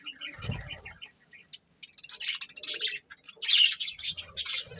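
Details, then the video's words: Budgerigar breeding pair: a soft thump and light chirps at first, then loud raspy chattering and squeaky warbles after a brief silence. "Cute Budgies Chirping Sounds"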